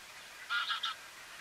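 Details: Grey heron (Ardea cinerea cinerea) recorded in February at Strijen, Netherlands, giving one short harsh croak that breaks into two or three rough rasping pulses, with quiet background noise.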